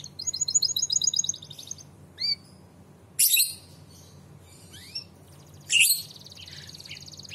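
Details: Canary singing bright, high trills and rapid rolls broken by quick upward-swept whistles, in bursts with short pauses; a long, standard-song lure recording meant to prompt other songbirds to answer and sing.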